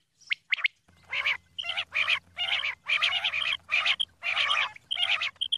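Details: Female common quail calling: a few brief high notes, then a run of harsh, broadband, rasping bursts about half a second long, repeated in quick succession with short gaps.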